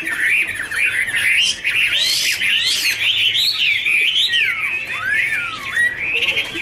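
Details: Hwamei duet during a wing-fluttering dance: an unbroken flow of bright, sliding whistles that swoop up and down, with dense overlapping phrases and some scratchy high notes.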